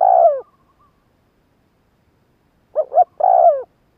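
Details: Spotted dove call used to stir up wild doves: a long downward coo fading out, a long silence, then a paired quick note and another long descending coo, with no background noise.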